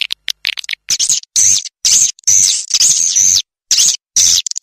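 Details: High, rasping swiftlet chatter used as a farming lure sound, delivered in short buzzy bursts separated by brief pauses, with a few thin clicks at the start.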